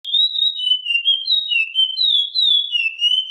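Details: Chestnut-bellied seed finch (curió) in the classic song style: a clear, pure whistled phrase of long sliding notes that step up and down between higher and lower pitches, delivered continuously with no other sounds.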